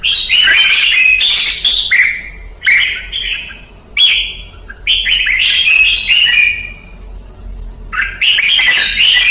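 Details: Red-whiskered bulbul kept by Vietnamese bird hobbyists, in a training song recording (luyện ché): loud bright chattering and whistled phrases, sharp downslurred notes in bursts separated by short pauses, some quieter trailing notes, no other sounds.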